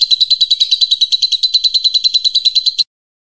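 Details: A prize-winning lovebird gives a loud, shrill trill of rapid, evenly spaced chirps, about seven or eight a second, kept up steadily for nearly three seconds; suited as a tutor song.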